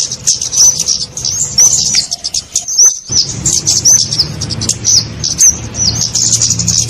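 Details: Kemade call used as a lure for trapping small birds: rapid high thin chirps and short whistled upslurs repeated densely throughout, with a low hum underneath.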